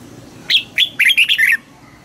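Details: Red-whiskered bulbul contest-training song, a quick run of six liquid whistled notes rising and dipping in pitch, delivered in roughly one second.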